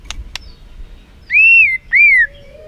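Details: White-rumped shama, a lure song played to excite the bird, heard as two long clear whistled notes, each arching up then easing down, after two short clicks.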